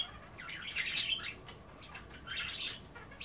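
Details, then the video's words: Pet budgies at bath time, nibbling kale in water and chattering; a burst of bright, scratchy chirps and warbles early on, then softer rambling chatter and another sharp note near the end. "A day in the life of a Budgie - kale bath and chattering"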